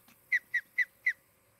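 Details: Osprey calling at its nest in Charlo, Montana, nest camera, 23 July 2018, late morning; four sharp whistled chirps, each dropping in pitch, spaced about a quarter second apart.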